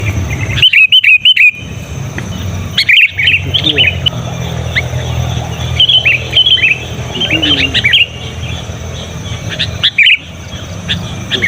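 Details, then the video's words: Sooty-headed bulbul calling loudly and persistently to draw in wild bulbuls, used for tutoring caged birds: scattered bright, bubbly chirps and short warbled phrases with brief dropouts, over a steady low hum and sharp clicks. "Suara Burung Kutilang Gacor Memanggil Kutilang Liar Terbukti Ngotot Dan Keras"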